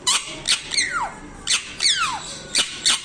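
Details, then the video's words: Parrot giving short, harsh broadband squawks in clustered bursts, with two clear whistled notes sliding steeply downward between them; loud and close, no other sounds. "TELKING PARROT"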